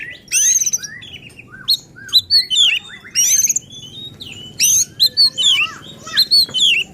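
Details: Emotional, persistent singing of an oriental magpie-robin, used to goad other magpie-robins: loud clustered phrases of high whistles and buzzy slurs separated by short pauses, over a soft low hum.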